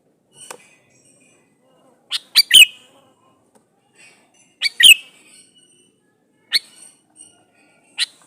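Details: Male sooty-headed bulbul calling to a female, used to lure bulbuls into answering. Three-note chirping phrases with a loud, dropping final note alternate with lone sharp chirps every second or two, in an otherwise quiet background.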